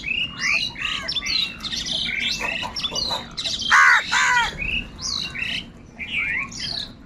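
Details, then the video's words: Several crows, seemingly fighting over food, caw loudly and continuously, harsh rasping calls overlapping one another. "Crow Crying Continuously and Loudly |kaka sound and noises of crow birds | Angry kauwa ki awaaz"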